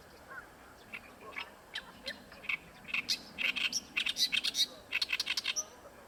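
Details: Oriental reed warbler singing at Ikeshima, one of the most vocal in the area, giving harsh, chattering phrases of rapid repeated notes that speed into a loud grating run mid-clip.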